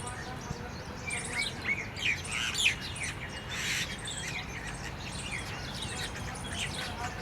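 Jungle babblers chatter in a busy jumble of squeaky, harsh chirps that overlap without pause, over a steady low rumble of background noise.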